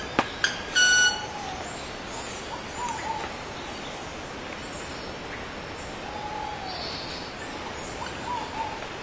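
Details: Male club-winged manakin (Machaeropterus deliciosus) producing tones with its wings: two sharp ticks, then a brief ringing, nasal mechanical whine rich in overtones in the first second. Soft distant calls and steady forest hiss fill the rest.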